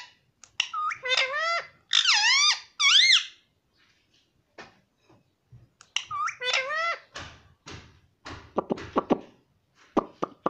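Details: Pet parrot talking, said to repeat "mummy": quick nasal, wavering syllables in the opening three seconds, a quiet stretch, then another short phrase followed by a scatter of sharp clicks and snaps.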